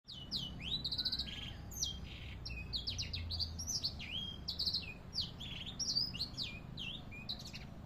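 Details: Canary song used as a tutor recording for training birds: rapid high whistled notes and sweeping chirps, with quick trills and buzzy rolls packed close together, over a low steady background hum.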